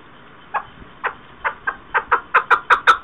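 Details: Chukar partridge calling, 2021: clucking chuck notes start sparse and quiet, then speed up and grow louder into a fast, steady run of harsh, repeated notes by the end.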